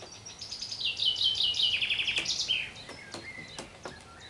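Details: Afternoon garden song of a common chaffinch: an accelerating run of sharp chipping notes dropping in pitch through repeated trills, closing with a short flourish, followed by scattered high chirps and clicks.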